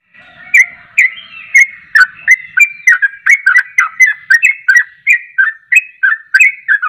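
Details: Yellow-vented bulbul, called trucuk, singing persistently: short whistled phrases with a sharp click, each dipping from high to lower pitch, about one a second, uneven rhythm, with a faint low whistle early on.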